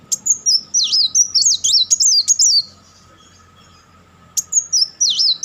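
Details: Rapid-fire chatter of a purple-throated sunbird (kolibri wulung): a quick string of high, looping, slurred notes, about four a second, stops for nearly two seconds, then a brief renewed burst.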